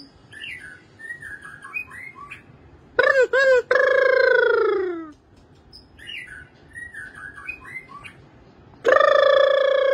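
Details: A White-rumped Shama sings soft, varied warbling phrases broken by loud, rich, downward-sliding whistles, with the pattern repeating twice in ten seconds.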